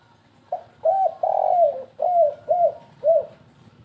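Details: Spotted dove call for luring birds, in the 'kuk3 gagap' style: one brief coo, a hooked note, a long falling coo and three evenly spaced, rounded short coos.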